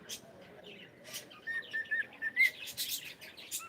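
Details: Cockatiel at home saying good morning: a few soft clicks, then a string of short whistled notes that grow louder and rise sharply, with buzzy chirps near the end.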